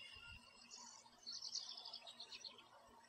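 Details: American goldfinch in a backyard tree, singing a fast, high-pitched twittering phrase of tightly packed chirps at about four notes a second, fairly faint against light background noise.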